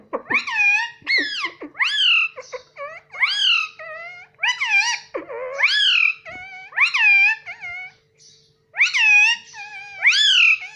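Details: Talking pet parrot imitating the word mummy. It repeats harmonic two-part rising-then-falling syllables in quick runs, roughly one every second, with a short pause near the end.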